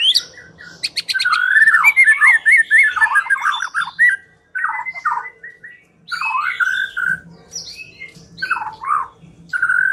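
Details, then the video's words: White-rumped shama lure song meant to make a bird sing: scratchy rapid notes and buzzy trills, then varied whistled phrases and harsh squawky notes separated by short pauses. "Pikat Murai Batu Dengan PANCINGAN GACOR Ini Di Jamin Macet Langsung Bunyi"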